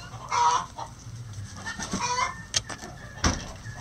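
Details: Chickens being fed in their coop early in the day, softer scattered clucks and a short nasal call, with sharp clicking or pecking taps and a low background hum.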